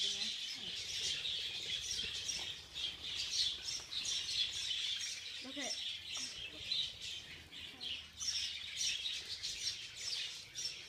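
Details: Budgerigars in a feeding frenzy: a dense, continuous chatter of high chirps and warbles from many birds at once, with a few short squawks around the middle.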